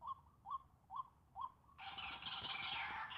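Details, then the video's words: White-breasted waterhen uttering four spaced, upward-bending notes, then a sudden loud, harsh and dense rasping burst that fills the rest of the clip. "Ganas burung ruak ruak nya"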